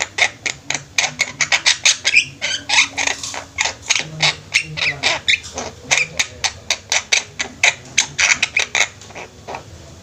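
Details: Javan mynas kept together in a group, giving a long fast series of clipped, scratchy squawks, roughly three or four per second, steady and chattering.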